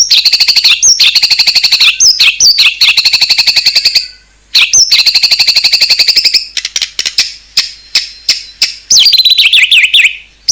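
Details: White-rumped shama in isian song: long rapid buzzy trills of fast-repeated high notes, a brief pause, more trilling, then scattered clicks and a falling chattered phrase.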